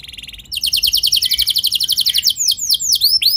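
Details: Singing canary, a provoking song for other canaries: a soft distant trill gives way to a loud, fast rolling trill of high notes, ending in slower, sharply swept whistles.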